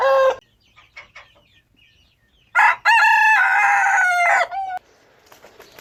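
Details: Rooster crowing: the tail of one crow, a pause with faint clucks, then a long loud harsh crow held for about two seconds with a falling finish.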